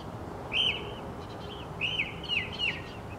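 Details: Northern mockingbird repeating a short, sharp, chirping note with a downward slur, given singly and then in a quick cluster of three over a quiet background.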